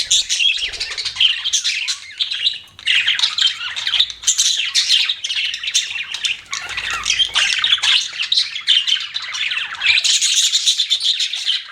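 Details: Pet budgies producing nearly nonstop chirping and squawky warbles, loud dense chatter rolling on for several seconds with only short dips.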